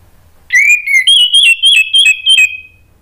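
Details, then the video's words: Orange-headed thrush, locally Anis Merah, singing a lure song meant to make other thrushes reply and to help birds that stopped singing: a sustained run of loud, sweet whistled notes, quickly repeated about three per second, with sharp chirped accents. "bikin ANIS MERAH lain jadi ikut NYAUT NGEPLONG ¦ PANCINGAN AM ¦ TERAPI MACET"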